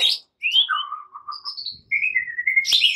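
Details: White-rumped shama morning song in fighting style, used to provoke other birds: sliding whistles that drop in pitch, a brief high whistled phrase, then a run of steady ringing whistled notes broken by a sharp click.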